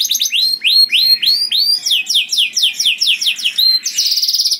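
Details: A canary sings loud, melodious song to lure other canaries: series of rising whistled chirps about three per second, faster sweeping notes, ending in a buzzy high trill.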